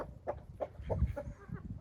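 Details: Village garden chickens, with ducks being introduced to them and a rooster present, cluck in short, low, evenly spaced notes, about three a second, over a rumbling, muffled background.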